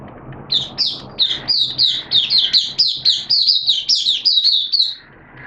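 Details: Caged Oriental white-eye in open song on 11 September 2022 during wet, erratic weather: rapid series of high, clear chirped notes repeated about four times a second for five seconds, then stopping, with a low background hum.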